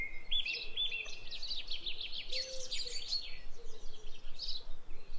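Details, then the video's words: Pet budgerigar (parakeet) taken outdoors, giving a rapid, busy chatter of high chirps and short warbled notes with a few clear whistled tones, over steady outdoor background noise. "Took My Budgie Outside"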